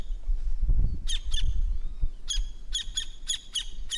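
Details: Campo flicker, large open-country woodpecker of South America, delivering harsh, ringing notes in pairs and short uneven runs after a brief low rumble of background noise.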